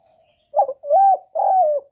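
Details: Clean, close spotted dove coo for stimulating newly kept birds: a faint lead-in, then three low mellow notes, the last two long and smoothly rising then falling, with no other sound.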